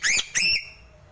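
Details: Two quick upslurred whistled notes from a Sulawesi crow (gagak sule), each bright and ringing with layered overtones, the second trailing off into a fading echo.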